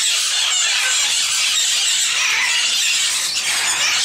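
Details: Sun conures at a zoo give shrill, harsh screeches that run together into a continuous, piercing chorus with no break or pause.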